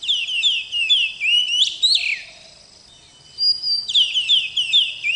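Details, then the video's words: Kacer (oriental magpie-robin) in melodious song: rapid series of repeated falling whistled notes ending in an upward sweep, a silence of about a second, then the falling notes return. "KICAU BURUNG KACER YANG MERDU || MAGPIE ROBIN VOICE"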